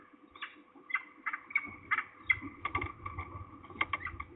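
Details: At least two falcons near Trzebież, Poland, on 2 September 2019 in the afternoon, possibly a young bird or a parent: harsh, nasal repeated notes in irregular bursts, with faint low rumbling in the background.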